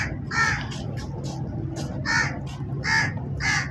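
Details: Crow calling with four loud, rough caws spaced about a second apart, fainter caws between them, and a low background rumble.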